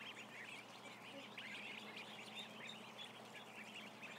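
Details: About a thousand ducklings peep together, a thick chorus of shrill, brief rising and falling notes packed close, with a few sharper whistled peeps standing out above a constant low hum.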